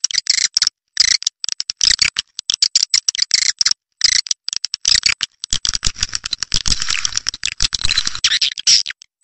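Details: Lure call meant to bring edible-nest swiftlets in to roost: scratchy, buzzy chirps mixed with dense ticking clicks, becoming a continuous raspy twittering toward the end.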